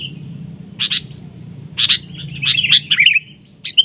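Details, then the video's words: Sooty-headed bulbul in a lure-bird duel, the birds grappling like eagles and trading attacks, gives short, bright chirps around 2–4 kHz in a few bursts over four seconds, with a low rumble underneath. "PIKAT KUTILANG"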